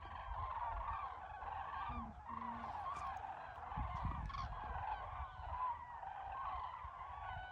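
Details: Many cranes calling together at once, a dense continuous chorus of overlapping trumpeting, rolling calls that blur into a steady wash of sound, with a few low rumbles underneath.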